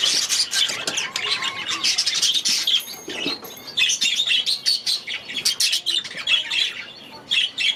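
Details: Grown-up baby budgerigars from last season settling into a new aviary, first days after release; busy overlapping chirps, warbles and harsh squawks from many birds, steady and loud across the whole stretch.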